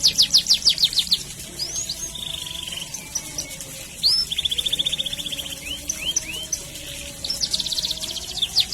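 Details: Long rolling canary song meant to teach young canaries their sounds: rapid pulsed trills, a steady buzzy roll, then rising whistled notes and a loud burst of fast rolled phrases, over faint low background hum.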